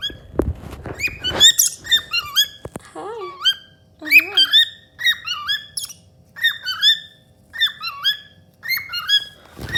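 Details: Pet cockatiel, a happy female, singing indoors while a companion bird hides: a string of clear whistled notes, many sharply rising or bending, in short bursts repeated through the clip, with a few lower notes early and a brief rustle at the start.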